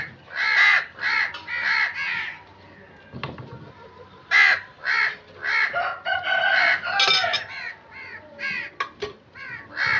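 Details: Several crows cawing busily, harsh nasal calls tumbling over one another in quick irregular bursts, a short lull near the middle, then more overlapping caws with a few sharp clicks.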